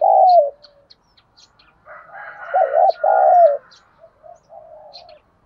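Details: Spotted dove in the thuc gu cooing style used to lure wild doves: a loud, low wavering double coo opening and again mid-way, softer trailing murmured notes between, faint high chirps from small birds.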